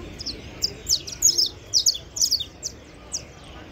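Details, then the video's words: A saffron finch delivers a fast string of high, bright chirps and buzzy trills, several per second, over steady low background rumble. "cantos canário da terra"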